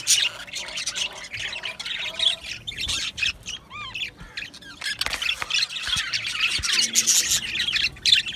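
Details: Australian budgerigars in an aviary, overlapping chatter with a few distinct harmonic squawks and descending whistled calls around the middle, then the full chorus swelling again.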